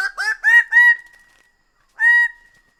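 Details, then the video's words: Greater bird-of-paradise producing a rapid stutter of four loud, reedy honks that end in a drawn-out tone, then one more clear honk after a short pause. "Greater bird of paradise sound"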